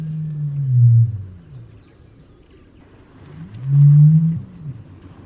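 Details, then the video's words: Common ostrich giving two long deep booms about three seconds apart, each a low droning rumble that swells to a peak then dies away, with quiet background between. "Страус. Голоса птиц"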